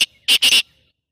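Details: Black francolin calling: a brief, harsh, buzzy burst of three loud rasping notes, the last two run together, set against near silence.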